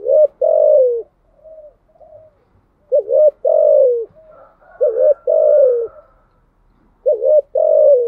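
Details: A spotted dove cooing steadily in the thúc gù style. Paired notes, a short coo and then a longer falling coo, repeat four times roughly every two seconds, with faint softer calls between them.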